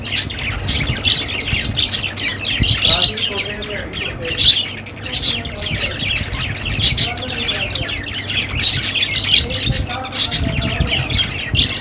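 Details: Continuous budgerigar babble of fast chirps and scratchy squawks, with some lower, voice-like warbled notes near three seconds and between five and six seconds.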